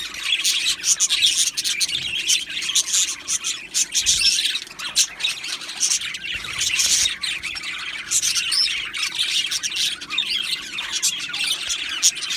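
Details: Budgerigars in an aviary colony make steady high-pitched twittering. Overlapping chirps and scratchy squawks from many birds run unbroken for twelve seconds, with brief louder bursts.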